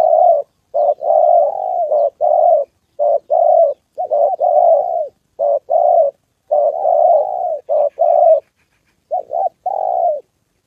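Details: Spotted dove cooing during a decoy session with a wild bird and a female on the 2 September holiday. Many mellow, husky coo phrases run almost continuously, short notes alternating with longer sliding ones.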